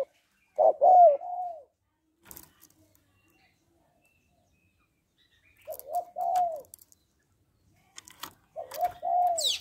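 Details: Female spotted dove calling to stimulate males: three mellow coo phrases separated by pauses, each a stuttered short note then a longer falling coo, with scattered sharp clicks between phrases.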